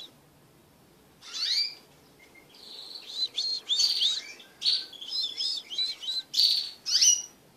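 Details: Crested canaries kept as pet birds and mating as a group give warbling song: separated bursts of varied high chirps and twittered phrases with short pauses between them. A faint low hum runs underneath.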